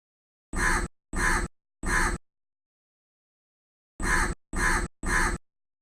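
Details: A crow calls live from a tree with six short, harsh, raspy caws in two bursts of three, each burst evenly spaced, with a silent gap of about two seconds between the groups.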